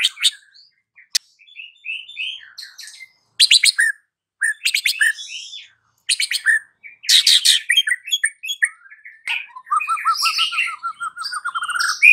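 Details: White-rumped shama singing a lure phrase sequence in the afternoon to provoke a silent bird: scattered whistles and rasping chatters, building to a long rapid trill near the end.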